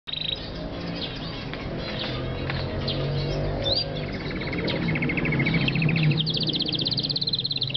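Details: White male Belgian canary sings long, high rolling trills and rapid chirped phrases, with a steady low background hum throughout.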